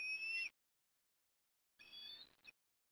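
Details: Osprey at Port Lincoln, Australia, calling at the nest during afternoon deliveries on 18 October 2021. Two fairly quiet, drawn-out whistled calls with a shrill overtone, separated by more than a second of silence.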